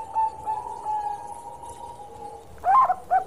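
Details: Zebra dove of the Bangkok type singing, valued for its special voice: faint level tones, then a couple of brief, loud rolling coos near the end.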